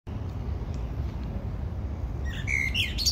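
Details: Common blackbird singing: a short fluted, whistled phrase near the end, sliding into a brief high squeaky twitter, over a steady low rumble of background noise.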